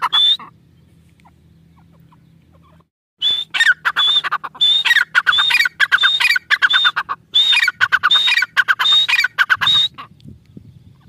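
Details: Grey francolin (teetar) calling: almost three seconds of near silence, then a loud, rapid run of harsh, ringing repeated phrases, each topped by a high whistled note, continuing steadily to near the end.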